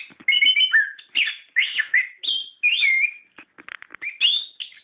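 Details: Orange-headed thrush delivering energetic ngerol song meant to set captive birds singing, with rich warbled whistles, swooping slurred notes and quick stuttering clicks strung together almost without a break.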